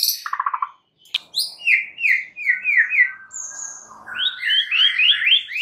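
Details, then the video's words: White-rumped shama singing to provoke rival shamas: a quick burst of high notes, then a sharp click followed by a series of rising, repeated slurred whistles and sweeping trilled phrases. "PANCINGAN murai paling AMPUH"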